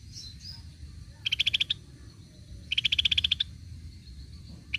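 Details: Cream-vented bulbul, played as a lure sound, giving short rapid bursts of about seven sharp, evenly spaced notes. The bursts repeat about a second and a half apart over a low background hum.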